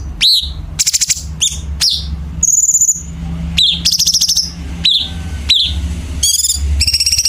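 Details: Chinese bulbul master song for contest birds, packed with sharp harsh fills. Rapid scratchy buzzes and steeply falling chirps follow one another in quick succession, with a high thin whistle mid-way, over steady low rumble.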